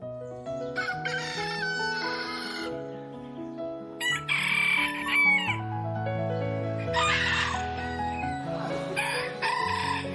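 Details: Domestic chickens on a farm, rooster and hen: several loud harsh bursts of crowing and cackling, each about a second long, spaced a few seconds apart over continuous background music.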